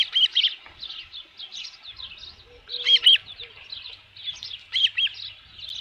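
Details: Osprey at its ranch nest with a headless fish, 27 June 2018 near 12:48 PM; loud whistled chirps in paired bursts separated by softer chattering notes, plus a faint low drone.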